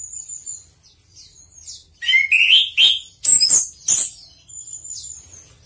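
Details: Chestnut-capped thrush (anis kembang) in lively song: a thin high whistle, then a burst of loud mixed phrases of rich warbled notes and sharp high chips, trailing off into softer high twitters.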